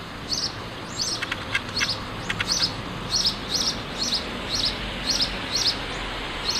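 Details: House sparrow song: sharp, high chirps given singly or in pairs at a steady pace of about one every half second, with a faint murmur of background noise.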